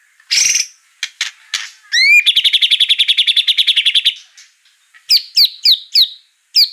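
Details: Lure song of a white-rumped shama meant to make another bird sing: a buzzy burst, a rising whistle, a rapid steady trill about two seconds long, then several sharp upswept whistled notes.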